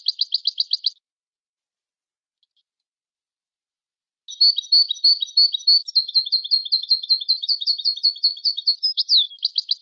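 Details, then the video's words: A Moroccan goldfinch sings fast, high, tinkling chirps, pauses for about three seconds, then launches into a long, continuous, buzzy twitter with trilled and slurred notes running to the end. "أفضل تغريد الحسون المراكشي"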